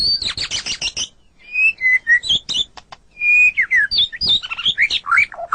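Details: Song of a white-rumped shama, played to train captive songbirds: dense high chattering, then clear whistled notes and swooping slurs in quick, varied sequence.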